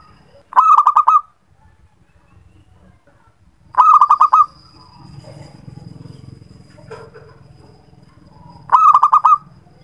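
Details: Perkutut (zebra dove) cooing as a lure for reluctant singers: three rolling, stuttered coo phrases spaced a few seconds apart, with low rumbling background noise and a thin constant high whine.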